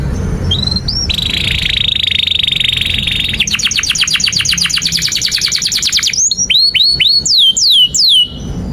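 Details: Long canary song meant for tutoring juvenile canaries to learn sounds: a steady buzzy trill, then a fast rattle of repeated high notes, followed by separate sharp down-slurred chirps at a slower pace.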